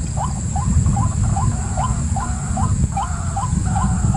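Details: Rising, slightly hooked notes from a white-breasted waterhen, repeated in a fast monotonous series that seems to overlap a second series, against deep rumbling background noise and a steady high hiss.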